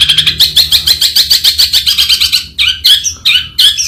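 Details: Long-tailed shrike delivering a fast series of scratchy, chattering notes. These are followed by a few louder, rougher squawks spaced apart.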